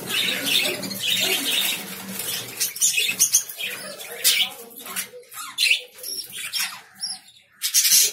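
Lovebirds give shrill, scratchy chirps and squawks in quick irregular bursts. A faint low hum sits beneath the first few seconds.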